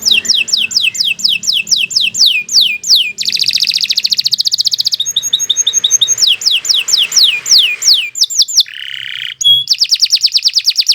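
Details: Canary in long, lively song for training: repeated falling whistled sweeps alternate with fast buzzy rolls, a short lower harsh burst near the end, then another rapid trill.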